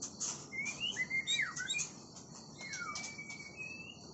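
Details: Oriental magpie-robin singing clear whistled phrases, with slurred notes rising and falling near the upper middle range, a sharp downward-swooping note, then a long even whistle gently rising at its end, over faint background hiss.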